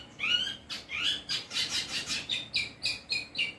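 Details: Long-tailed shrike delivering an imitative song with 'kuntilanak' and 'greja petir' phrases: slurred rising whistles first, then rhythmic harsh chirps repeated roughly every quarter second.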